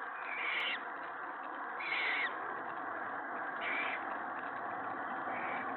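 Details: Owlets being fed a rabbit by the adult female at evening feeding time, 7:01–7:13 PM, 21 March 2017; owl calls: four raspy, hissing bursts, each about half a second long, every second or two, over a constant background hiss.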